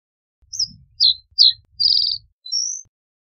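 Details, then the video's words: Reed bunting phrase of three sharp downslurred chirps, then a buzzy rattle and a thin rising whistle. A soft low rumble sits underneath. "Reed Bunting Song! Reed Bunting Call! Sound! Voice - Escribano Palustre Canto - Emberiza Schoeniclus"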